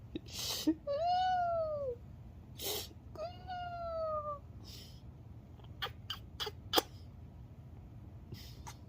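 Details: Pet cockatoo, a male, giving two drawn-out nasal calls that rise slightly then fall, each about a second long, with soft clicks, scratching and faint speech between them.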